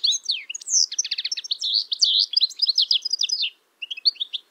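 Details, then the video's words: European goldfinch male in spring song, its typical twitter captured through a Telinga PRO parabolic dish: a dense, almost unbroken rush of bright chirps, buzzy rattling notes and fast trills, then a short gap and a few closing twitters. "Голос Щегла. Песня."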